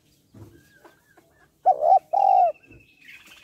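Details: Female spotted dove calling to excite males, giving a single pair of deep, rounded coos midway, the second note longer and falling away. Faint scuffling comes before it, and a thin high whistle follows.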